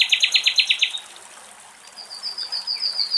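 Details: A common nightingale in forest beside a river in Greece, where cows cool off on the banks, sings a fast run of about eight loud, throaty notes, then after a pause high, thin, repeated whistles.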